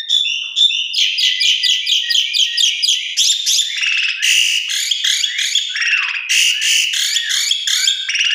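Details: Javan pied starling singing a full lure song to encourage other starlings: an unbroken stream of rapid, harsh chattering notes with buzzy overtones and occasional downward-sliding whistles.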